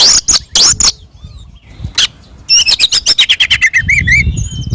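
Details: Oriental magpie-robin singing aggressively in fighting mode, a lure meant to rouse other magpie-robins to reply. Harsh scratchy bursts give way to a rapid run of sharp chattering notes and downslurred whistles.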